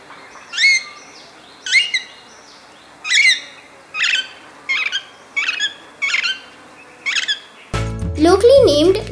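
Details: Alexandrine Parakeet in Sri Lanka giving loud, harsh, piercing screeching calls, repeated roughly once a second, before music begins.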